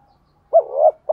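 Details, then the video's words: Spotted dove in the 'thổ pha đồng' voice, cooing to lure wild doves: one short rising note sliding into a long low hoot, with the start of another note cut off at the end. "tiếng chim cu gáy giọng thổ pha đồng, cu gay kich boi nhanh noi gù"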